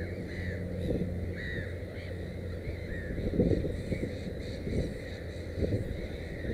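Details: Scattered, rasping, arched cries of a black-headed gull beside its nest with three chicks, spaced unevenly across several seconds against a dull low roar.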